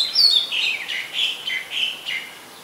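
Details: Singing Oriental magpie-robin, Ubon Ratchathani, Thailand, 2 July 2022, filmed on a Nikon P1000; a high clear opening note slides down into five or six fuller, evenly spaced warbled notes that fade away.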